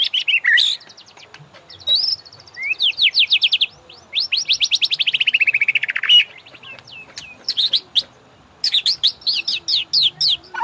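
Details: White-rumped shama master song for prompting caged birds to sing: loud sweeping whistles and long pulsed trills, one sliding downward, alternating with quick chip series and brief pauses.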